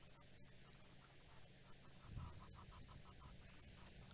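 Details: An Egyptian goose, one of two across a game-reserve waterhole at sunset on 29 September 2017, gives a fast distant series of harsh rhythmic honks over a low rumble, apparently upset by elephants drinking there.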